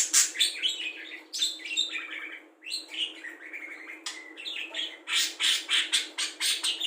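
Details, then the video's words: Imitative song of a budgerigar loaded with cucak jenggot, kapas tembak, lovebird ngekek and fighting sparrow phrases for tutoring songbirds; rapid, irregular stream of chirps and slurred whistles, about four notes a second, ending in harsh bursts. "Parkit isian mewah cocok untuk memaster burung kicau"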